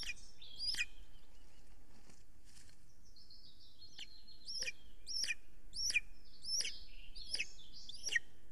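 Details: Estonian golden eagle nest at 6:53 pm on 3 June 2020 as a huge prey is carried in: one early yelp, a quiet gap, then seven rapid shrill down-slurred cries about every 0.7 seconds over soft ambient noise.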